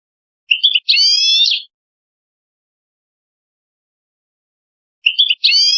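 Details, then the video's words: Goldfinch-canary hybrid, a goldfinch mule, singing to teach chicks and canaries: two short phrases, each a brief high chip followed by a sustained buzzy, harmonic note, separated by about four seconds of silence. "Singing A Goldfinch Mule To Teach Chicks And Canaries"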